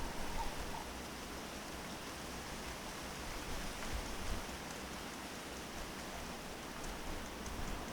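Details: Steady rain pattering on a surface covers the whole recording, a dense even hiss with no clear animal call.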